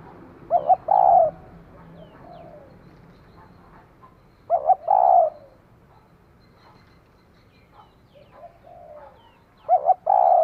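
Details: Female spotted dove, used as a decoy, cooing to stimulate a male: three deep, hoarse coo phrases about every four to five seconds, each a quick double note then a longer rolling coo, over faint background hum.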